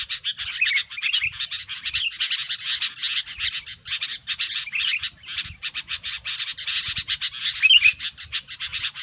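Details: A noisy Sooty-headed Bulbul lure for trapping: unbroken fast buzzy chatter with short warbled whistles scattered through and a clear twisting note late on.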